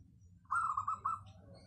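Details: Local zebra dove, valued for a clear, dense voice as a lure bird, giving a single brisk rolling coo of about four linked notes over a low steady hum.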